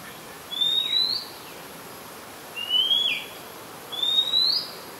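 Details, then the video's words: Singing Oriental Magpie Robin recorded in Ubon Ratchathani, Thailand, 2 July 2022, a very common resident; three clean upslurred whistled notes, each about half a second long, repeated every one and a half seconds against quiet hiss. "นกกางเขนบ้าน Oriental Magpie Robin (singing)"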